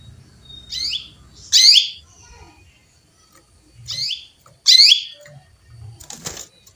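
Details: Calling female canary seeking a male, giving two pairs of harsh, descending buzzy chirps a few seconds apart, with a faint rustle or scratchy noise near the end.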